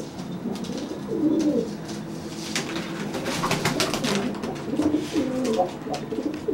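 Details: Dry pigeon threatening a wet pigeon after a bath: soft, low coos almost buried under dense clattering and scraping noises throughout.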